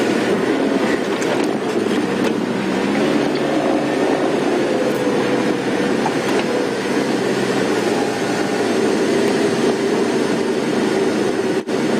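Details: Steady vehicle engine rumble throughout, with no animal sounds heard.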